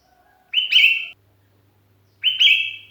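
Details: Lone sooty-headed bulbul calling for companions, sound used to lure birds: two clear whistled notes, each opening with a quick upward flick and held steady, about two seconds apart, faint hum between.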